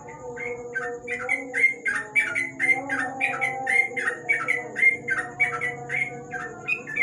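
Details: Sooty-headed bulbul singing at night beneath a lamp, a sustained flurry of bright, clipped chirps in quick succession for about seven seconds over a faint, constant droning hum.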